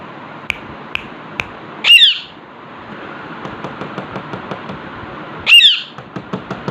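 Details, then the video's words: A pet Alexandrine parakeet relaxing at a mirror lets out two sharp grating squawks about three and a half seconds apart, amid soft clicking and tapping sounds and a steady faint room hiss. "Alexander parakeet talking parrot chilling Infront of mirror"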